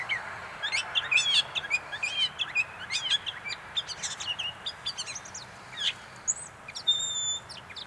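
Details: Gray catbird at North Tetagouche, New Brunswick, giving a rapid, jumbled run of varied squeaky, chirping and slurred notes in quick succession, with a few higher, clearer whistled notes near the end.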